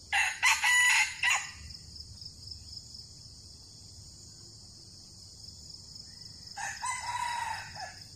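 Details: Red junglefowl crowing during decoy trapping in which two birds were caught and fought: a loud harsh crow lasting over a second, then a quieter second crow near the end, over a steady high insect drone.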